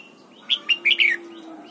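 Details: Red-whiskered bulbul's morning training song in the 'double-note' wild style: four sharp whistled notes in under a second, ending in a trilled downward slur, over a soft steady low tone and hiss.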